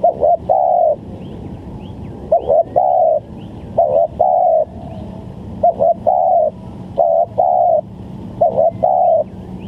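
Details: Lure recording of a spotted dove for bird trapping: six steady cooing phrases roughly every one and a half seconds, each a short stuttered double note then a longer low coo, with faint distant bird chirps and a low hum.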